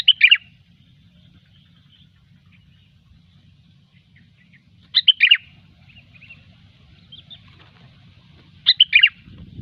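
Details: Sooty-headed bulbul singing gecor song for bird luring: three short bubbling bursts about four seconds apart over a steady low hum.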